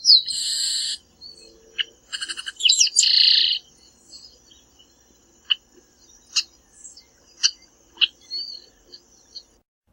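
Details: Chestnut-capped Blackbird, Brazilian Cerrado: a harsh buzzy phrase, then stuttering chips and another rasping buzzy trill. Later come scattered short high ticks, one every second or so, with a thin faint whistle between them.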